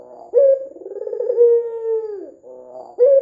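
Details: Vocal red-eyed white dove used to lure doves into calling: a sharp opening note, a vibrating roll and a long smooth coo that tails off lower, followed by soft trilling and another sharp note.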